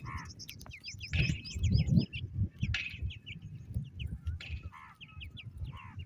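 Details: Partridge chicks peeping: a scatter of short, high, slurred chirps from several young birds, coming in quick bursts over steady low thumping and rumbling handling noise.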